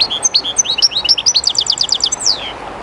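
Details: Close European goldfinch beside the river Jerte delivering a quick run of sliding chirps that breaks into an even, rapid trill and ends with a long descending note, river murmur underneath.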